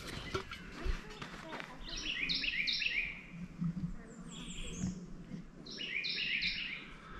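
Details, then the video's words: Carolina Wren, loudest of four singing birds alongside a Northern Cardinal, American Redstart and Red-eyed Vireo, on a rough road to an old cemetery near Brooksville: loud, rolling triplet phrases in two bursts, with brief speech and rustling at the start. "The loudest one is a Carolina Wren, but a Northern Cardinal, an American Redstart, and a Red-eyed Vireo are also singing."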